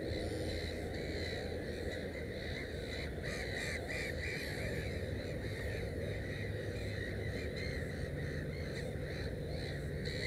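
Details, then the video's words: Black-headed gull beside its nest holding three chicks: clusters of rasping, squawking calls bunched in the middle stretch, set against constant deep background noise. "Озерная чайка"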